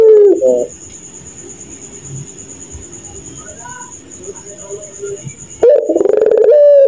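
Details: A puter pelung dove laughing at night: a brief throaty coo at the start, several seconds of faint background with a steady high insect hum, then another loud run of rapid stuttering low coos.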